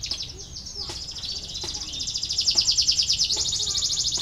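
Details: Canary song played to stimulate lazy canaries to sing: a long, bright, high trill of rapid repeated notes, steady and rolling, with a few sharp clicks in the background.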